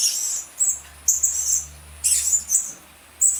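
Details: Lure calls of the blue-crowned hanging parrot, used to attract birds: high, sharp squeaky notes in quick bursts, some doubled, with brief pauses between groups.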